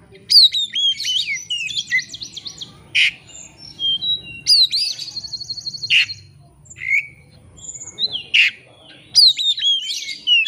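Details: White-rumped shama pouring out lure song meant to spur a rival into answering, in bursts of high sharp whistles and buzzy trills separated by short silences.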